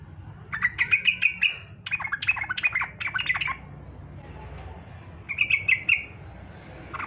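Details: Yellow-vented bulbul in fighter style, used to prompt other bulbuls to sing; two lively bursts of quick, bubbly notes, then a quieter stretch and a shorter chattering phrase, with faint background noise.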